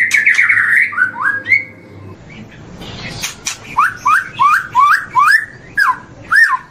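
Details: White-rumped shama heard on a long morning tutor recording: flowing whistles, then a quieter gap and a steady run of rising, hooked whistled notes spaced roughly a third of a second apart.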